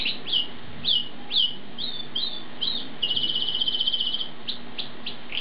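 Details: Asian pied starling giving repeated sharp whistled sweeps about once a second, then a rapid rattling trill of evenly spaced notes, against a hissy background.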